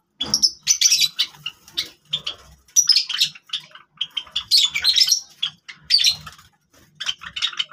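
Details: Java sparrows playing with grass: bursts of high, bright chirps and squeaky twitters in short clusters, separated by brief gaps, with a soft low hum underneath.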